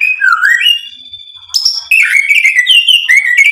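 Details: White-rumped shama in full song, provoked into answering and unloading its learned material: a low slurred whistle rising to a long steady high note, then a break into quick bright twittering phrases.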